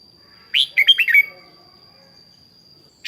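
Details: One quick, bright phrase of five or six slurred whistled notes from a red-whiskered bulbul decoy being trained to sing in the morning, then quiet apart from a constant faint high whine.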